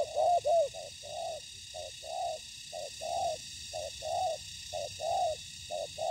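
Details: Spotted dove coos during ground-decoy trapping, with wild doves answering the decoy. A quick burst of loud notes opens, followed by a regular train of alternating short and longer soft coos.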